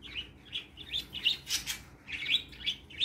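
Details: Three caged pet parakeets, lively in the morning, twittering steadily: quick sequence of high chirps around four to five a second with a noisy rasping burst in the middle.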